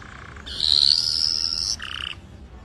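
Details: Red factor canary singing: a sustained buzzy high tone held for over a second, then dropping to a shorter lower buzzing note, over faint background hiss.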